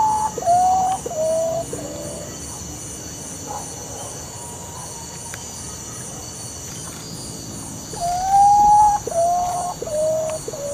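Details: Great potoo (Nyctibius grandis) of tropical America gives a mournful series of clear whistles stepping downward in pitch, repeated after a pause, over a steady high insect hum.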